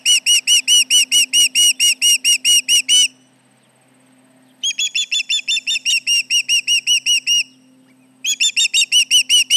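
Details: Osprey alarm calls at the Charlo nest on 29 July 2019, mid-morning, as intruders come near: three bouts of rapid, piercing whistled yelps, the middle bout slightly thinner, separated by short quiet pauses.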